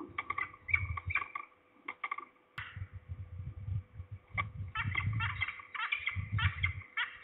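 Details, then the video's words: Falcons heard at Trzebież, Poland, 2 September 2019, at least two birds, one closer: clusters of rasping, chattering notes, a pause, then a longer run of rapid harsh calls, over intermittent low rumbling noise. "We hear at least two falcons (closer, below)."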